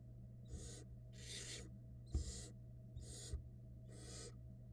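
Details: Young barn owls in a Florida nest box while their mother brings food, giving five loud, airy, rasping screeches in quick succession, roughly one per second, with faint knocks and a constant low hum behind.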